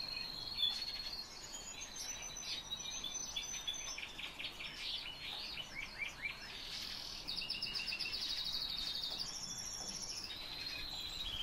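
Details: Black lark in sustained song, a fast stream of chirps, trills and rattling notes repeated in quick succession, with higher sharp whistles and brief pauses between rapid twittering runs.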